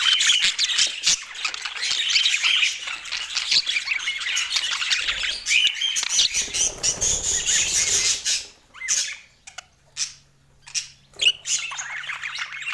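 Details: Budgerigars chatter in a busy, overlapping flurry of chirps for about eight seconds, then fall quieter into scattered separate squeaks and tweets, with a low steady hum at the end.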